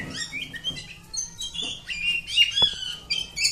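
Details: Home-kept Oriental magpie-robin pouring out a steady stream of sweet whistles and buzzy warbling notes, with a couple of sharp tapping clicks in between.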